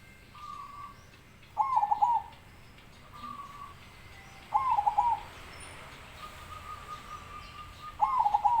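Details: Zebra dove song: three bubbling, rapidly trilled coo phrases about three seconds apart, alternating with long flat whistled tones from another bird, over light background hiss.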